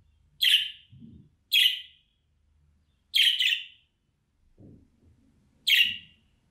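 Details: Budgerigar contact call for luring an escaped bird home: harsh, buzzy chirps, four bursts over six seconds, one doubled, with faint low rumbling between them.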